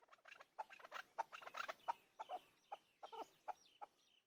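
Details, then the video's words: A chukar partridge gives a rapid series of harsh, clucking chuck notes, roughly four to six a second, rising into a busier chattering burst before slowing. "Keklik Sesi chakor Hunter Chakor voice. Chakor voice. Hunter Chakor sound. Keklik Sesi chakor bird."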